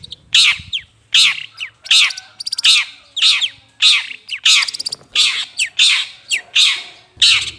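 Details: Long-tailed shrike calls meant to lure birds: a steady series of harsh, grating squawks, each a quick rasping downward slur, coming at a bit over one per second, with brief chips between.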